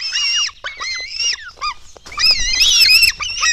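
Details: Black stork nestlings begging during feeding at a Latvian nest on 24 June 2016 at dawn: short squealing notes and falling chirps, a brief lull, then a louder burst of overlapping harsh, high screeches.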